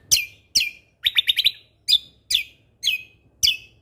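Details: Vocally active cucak kombo (lesser green leafbird) giving 'tembakan' fill notes: clear, sharp, falling whistles roughly every half second, broken by one quick rattle of five clipped notes.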